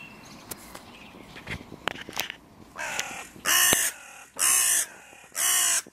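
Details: Crows calling where the territories of three breeding pairs meet by the music pavilion in König-Albert-Park, a hotly contested border. Faint sounds at first, then three loud, harsh caws in close succession, roughly one per second.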